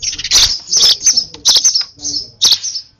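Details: Overexcited sparrow baby being hand-fed, pouring out a dense run of shrill high chirps and squeaks almost without pause, some calls slightly drawn out.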